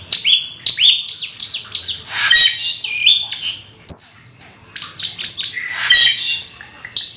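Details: Black-winged starling, called rare and exotic, in full lively song: a rapid run of varied whistles, sharp upslurred notes and scratchy chatter, delivered in dense, irregular bursts.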